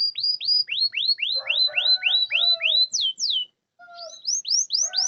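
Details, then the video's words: Song of a canary meant to prompt silent canaries to sing back: repeated high curved whistle notes about four per second, two sharp descending slurs, a brief gap, then more sweeping notes over soft lower tones. "Pancingan kenari macet malas bunyi bisu pasti langsung nyaut"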